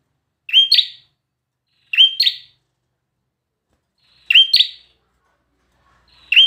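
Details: Bar-winged prinia uttering isolated doubled notes, a sharp rising chip joined to a buzzy note, spaced about one and a half to two seconds apart in otherwise quiet surroundings.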